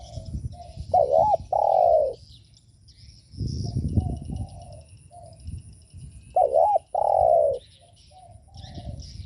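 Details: Spotted dove cooing, a call played to provoke other doves: a short wavering two-part note followed by a longer steady coo, the phrase given twice about six seconds apart, with faint coos of other doves in between.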